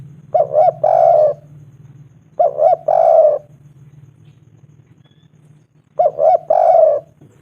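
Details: Spotted dove, a local bird, calling to attract a female: three phrases of two quick coos and a longer slurred coo, repeated about every two and a half seconds, over a faint low hum.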